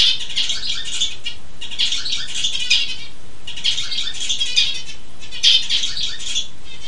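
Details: A zebra finch sings an unusual song with tones different from its normal song, in repeated bursts of buzzy, nasal notes with short pauses between phrases.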